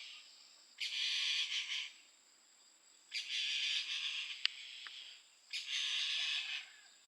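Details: Mountain bamboo partridge in Mizoram, India, giving three loud, harsh, rasping call bursts about two and a half seconds apart, over a steady high insect drone.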